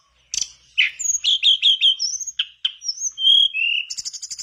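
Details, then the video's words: Mangrove blue flycatcher in full song, used to encourage other birds to sing, delivering quick chirped notes, upward-sliding whistles and a long descending phrase ending in a buzzy high trill. "Pancingan burung tledekan bakau gacor biar sikatan bakau macet ikutan gacor"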